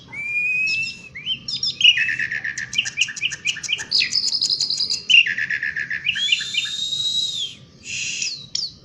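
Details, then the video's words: Asian pied starling singing outdoors in a lively, continuous roll: long clear whistles, then rapid repeated chattering notes and sliding whistled phrases, loud and varied, with no other clear sounds. "BURUNG JALAK SUREN OUT DOOR GACOR NGEROLL"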